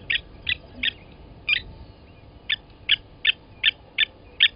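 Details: Blacksmith lapwings, Gowrie dam, Djuma Game Reserve, South Africa, morning of 29 August 2020, during an adult's killing of a nest chick: a loose series of metallic clicks, a short gap midway, then evenly spaced notes resume.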